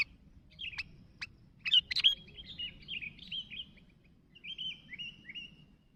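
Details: Calling sooty-headed bulbul summoning others: a few sharp clicks, then a louder cluster of bright chirps followed by softer, falling, slurred whistled notes that trail off quietly.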